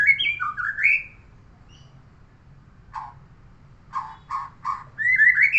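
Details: White-rumped shama from next door: a fluty rising and falling whistled phrase, a pause, then several low, rough chuck notes followed by a climbing series of bright whistles.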